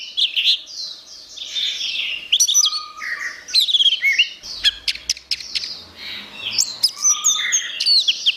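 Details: Orange-headed thrush song used as a master recording for training songbirds: a rich, fast medley of varied whistled and chattering phrases, sharp high notes and sliding mimicry-like notes, nearly continuous with brief pauses.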